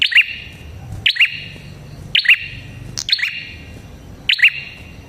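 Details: Prinia, locally prenjak kepala merah, in a lure recording for catching prinias: five high, sharp chirp pairs about a second apart, shrill and echoing over quiet background rumble.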